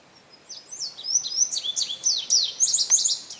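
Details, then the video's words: Male indigo bunting singing a bright, high, sweet song of quick paired notes slurred down and up, about three seconds against faint hiss, at St. Johns Conservation on May 25, 2022. "Indigo Bunting Song"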